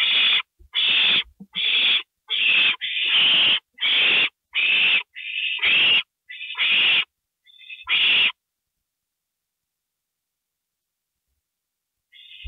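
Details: During a gopher delivery to an owl nest at 2:05 AM on April 27, 2012, about eleven quick harsh screeches and a few thinner tonal notes pour out over eight seconds, then near silence and one faint final note.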